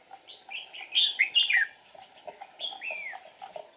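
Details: Red-whiskered bulbul decoy at a trap, 8 April 2019, singing to draw in wild rivals; loud looping whistled phrases that rise then drop, a few emphatic notes close together, over a low steady hum.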